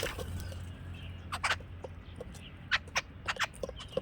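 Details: Harsh, grating notes from a jungle babbler, given in uneven clusters separated by brief pauses, with a low hum underneath.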